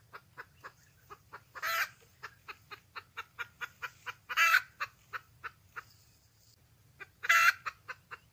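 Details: Wild red junglefowl hen calling for a mate, giving a steady run of short clucks broken by three loud harsh squawks spaced a few seconds apart, over a low hum.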